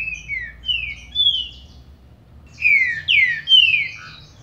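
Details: A green-winged saltator sings to excite a captive bird: three falling whistled slurs, a pause, then three loud sweeping descending notes ending in a short lower note, with light low hum beneath.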